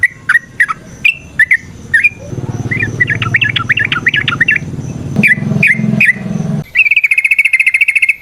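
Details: Yellow-vented bulbul singing in a fast, varied, chattering style, meant as a lure to spur other bulbuls: spaced sharp whistled notes, then a dense warbled run over a low rumble, more notes, and a steady high buzzing trill at the end.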